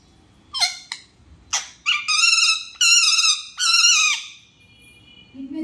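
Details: An angry parrot gives a burst of harsh squawks: a few short rasping notes, then three long, drawn-out grating screeches in close succession, followed by quiet.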